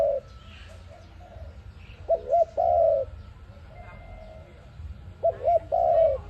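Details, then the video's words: Dove of the ARIMIX kind calling for use as a trap lure: two matching phrases, each a quick two-note stutter and a long falling coo, about three seconds apart, with faint high chirps and a thin steady tone. "Sound of ARIMIX dove quality sound to use for trap"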